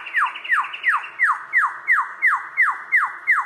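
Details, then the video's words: Australian lyrebird mimicking other birds as part of its courtship dance: a steady run of loud, sharply down-slurred whistles, about three per second, each dropping steeply from high to mid pitch. "Australian Lyrebird magnificent calls"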